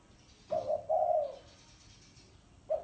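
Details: Spotted dove, thổ sấm cooing: one full phrase of a clipped note and then a drawn-out rolling coo, followed by silence and the start of the next phrase.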